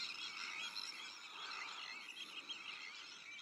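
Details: Sandwich tern colony in the breeding season, with black-headed gulls, arctic terns and common terns as neighbours: a thick, even blanket of raspy, chattering calls throughout.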